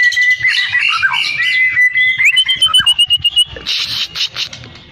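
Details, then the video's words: White-rumped shama, Cilacap, singing in the muntah beling style: loud, fast run of sharp whistled notes, a level high whistle, then rapid rising sweeps and stuttering repeated chips, ending in dense buzzy chatter. "MUNTAH BELING"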